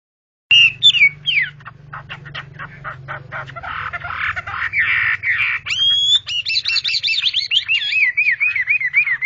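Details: A Chinese hwamei at a 2019 inter-provincial hwamei singing competition in Lao Cai city, Vietnam, sings loud, varied whistled phrases: sliding notes, quick buzzy runs, then a fast, rolling, wavering series of repeated notes. A faint murmur lies underneath.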